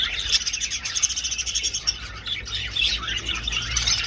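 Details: Budgerigars flying through an old aviary, many birds calling together: a busy wash of high chirps and scratchy warbles with quick, rapid-fire notes pulsing from moment to moment.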